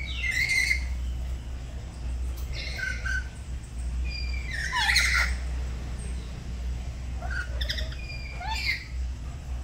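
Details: Pet black-capped lories at home in the morning, duetting while learning lively song: scattered harsh, rising squawks and short whistled notes at irregular intervals over steady low background rumble.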